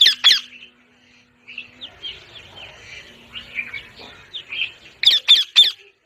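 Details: Two harsh parrot squawks begin, then softer chirping and twitters fill the middle before three loud, rasping squawks in rapid sequence.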